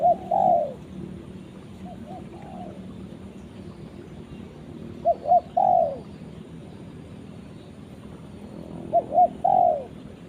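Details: Spotted dove repeating its call to a companion: phrases of two or three short coos ending in a louder falling coo, given about every four seconds over a low background hum.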